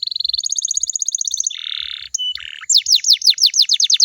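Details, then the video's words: Canary song played as a lure to prompt other canaries to sing back: a rapid high trill shifting to a higher, faster trill, then a harsh buzzy stretch, brief squeaks, and a run of loud downslurred whistles repeated quickly. "DI JAMIN KENARIMU BAKAL IKUT NYAUT KALO DENGERIN SUARA INI"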